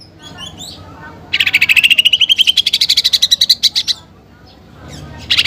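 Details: Cucak ijo delivering a 'tembakan' shot: after quiet soft notes, one loud rapid trill of evenly spaced pulses rises smoothly for nearly three seconds, then stops, followed by a brief final burst. Song includes sparrow-fight and pelatuk bawang imitations.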